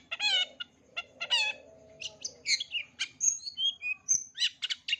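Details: Long-tailed shrike song packed with mimicked notes, used to teach young shrikes: two harsh rasping chatters open, followed by quick varied chirps and short high whistles in a busy, irregular run.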